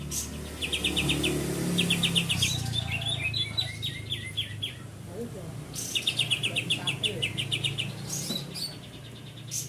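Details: Greater green leafbird giving its full song: repeated quick bursts of six to eight bright trilled notes with varied chirps between, over a loud low background hum.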